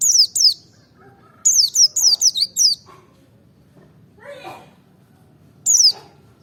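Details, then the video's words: Merapi white-eye song to provoke other birds: clusters of high, quickly falling chirps, a pair then a run of five, a short rustling noise in a quiet gap, and a final chirp. "pancing emosi pleci merapi ngalas dobel buka paruh 100℅ ikut bunyi"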